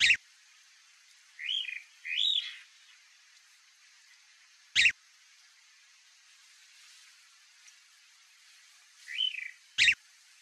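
Chalk-browed mockingbird giving three harsh, arched chattering notes, two close together then one after a pause, with a few sharp clicks between.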